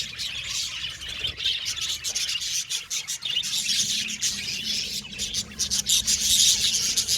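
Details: Happy budgerigars in an aviary colony, a dense continuous wash of high chirps and warbled twitters, with quick scratchy notes piling on top of one another and rising toward the end.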